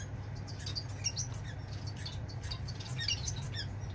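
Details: Society finch singing while feeling the wind, recorded 4 October 2022: a run of short, high, chirpy and scratchy notes scattered through the clip, over a steady low rumble of wind.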